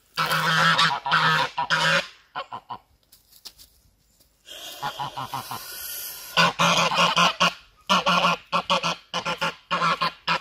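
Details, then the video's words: Goose hissing while defending itself and attacking the person filming. Bursts of harsh, breathy hissing are mixed with low honking notes and come in uneven fits. There is a quieter stretch around the middle, with rustling and handling noise throughout. "Goose hissing and attack me"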